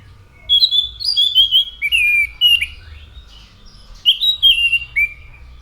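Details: Orange-headed thrush delivering a continuous run of clear whistled, slurred phrases that step down in pitch, then a second varied burst; low background hum.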